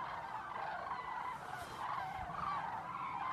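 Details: A flock of common cranes arriving at lagoons at dusk in Zamora, Spain, flying in with constant trumpeting: a continuous chorus of overlapping rolling, trumpeting calls, mid-pitched and harsh, with no other clear sounds.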